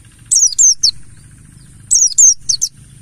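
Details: Mountain white-eye, a lure recording to get other birds singing: two quick phrases of high thin downslurred whistles, three or four notes each, about a second and a half apart, with a steady low background hum.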